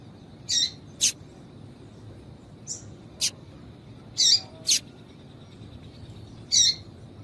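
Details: Short, high, scratchy chips from a female Double-collared seedeater, calls meant to attract and stir up males kept by breeders for contests. Seven separate notes come at uneven spacing over a low background hiss.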